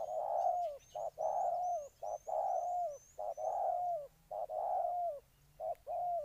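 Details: Loud, full coos of a spotted dove in Ninh Thuận repeated rapidly in long and short notes, with a faint high series of thin chirps running behind.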